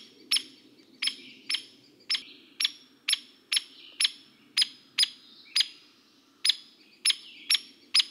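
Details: Hairy Woodpecker giving its most common call, sharp, squeaky single 'peek' notes, about fifteen in eight seconds at an uneven pace, with a soft low hum underneath; described as louder and lower than a Downy Woodpecker's.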